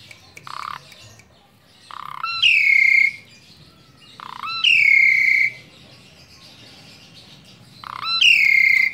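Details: Tame pet Asian pied starling repeating a two-part phrase, a low buzzy note then a long harsh drawn-out nasal note, three times at roughly three-second intervals.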